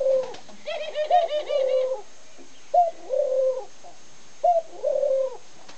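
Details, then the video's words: A male Barbary dove coos faster and livelier than others: low, rolling two-part coos, a short note then a longer purring one, about every two seconds; faint higher chirps overlap the first. "Gyorsítottan turbékoló gerle"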